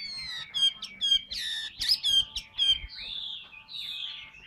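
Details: Captive Chinese hwamei, a large bird that sings a lot, delivering a rich, varied run of loud whistled phrases and slurred notes, roughly two per second, with some rising and falling sweeps.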